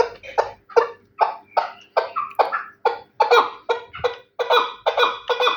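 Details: Chukar partridge, a kabk described as Terali and praised as the best kabk, giving harsh chuck notes in a steady series, about two to three per second, each a rasping burst; quiet background.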